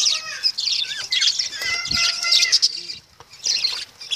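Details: Noisy lovebird chatter: shrill, buzzy high notes mixed with squeaky whistled tones, a low thud midway, then quieter scattered chirps.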